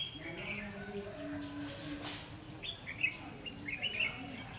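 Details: Red-whiskered bulbul recorded while trapping on 9 December 2015, singing a run of quick, clear chirping phrases in the second half, after softer low tones and a faint hiss at the start.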